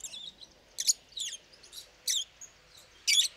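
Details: Pet lovebirds singing, loud and frequent: short harsh high chirps and squeaks in separate bursts, about six within three seconds, over a quiet background.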